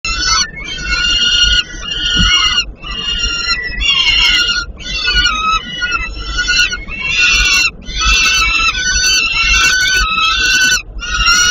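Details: Peregrine falcon chicks being fed at a nest in Płock, Poland, giving harsh, harmonic screeching begging calls in bursts of about a second, separated by short gaps, over a low rumbling background.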